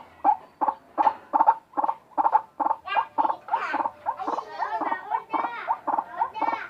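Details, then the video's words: White-breasted waterhen giving an unusual call: a fast run of harsh, croaking double notes about three per second, shifting into rising, nasal upslurred notes in the second half. "Ruak ruak bersuara aneh"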